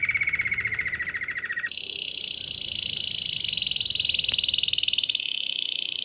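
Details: Canary singing, said to attract dozens of canaries, goldfinches and other wild birds: a fast trill around mid pitch shifting abruptly into a higher, sustained rapid rolling trill, continuous throughout.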